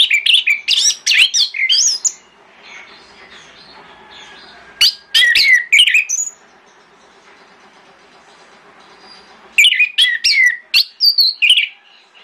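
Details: Orange-headed thrush singing in the morning as a lure song meant to make other thrushes answer: three bursts of rich, varied whistled and chattering notes, high and fast, separated by quiet pauses of a few seconds.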